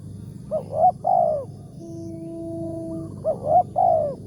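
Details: Spotted dove prized for a big 'tarik akar' voice, heard at a morning trapping site. Two rolling three-note coo phrases bracket a steady mid-pitched tone, with a faint low hum underneath.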